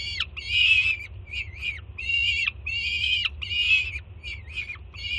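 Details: Peregrine falcon chick at a Jersey City nest, 24 June 2017, calling excitedly when the mother lands with breakfast; alternating long grating screams and short clipped notes with falling tails, over a faint low rumble.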